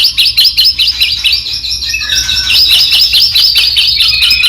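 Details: White-rumped shama song meant to prompt other shamas: dense, continuous high chattering and trilled notes with little pause, over a low background hum.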